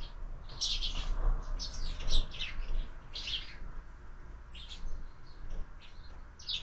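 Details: Sparrows at a window feeder at breakfast time give clusters of bright, sharp chirps, loudest early on, then thinning to sparse calls, with low background rumble.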